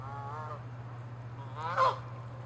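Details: Two honks from Canada geese in a territorial fight: a softer drawn-out first note, then a sharp, loud blaring honk after a pause, over a low hum.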